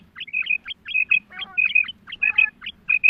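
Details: Female quail call used in hunting: short, sharp chirping notes in quick pairs and triplets, high and slightly squeaky, repeated about every half second over faint low background hum.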